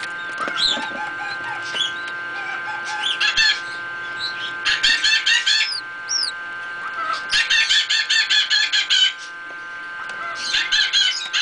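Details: Newly hatched pheasant chicks in an incubator peep in quick bursts of high, sharp chirps, several to a second, over a steady mechanical hum.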